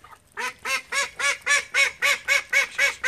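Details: A domestic call duck from a household flock of thirteen quacks loudly and evenly, about four harsh, nasal quacks per second at a very regular rhythm, after a brief quiet start.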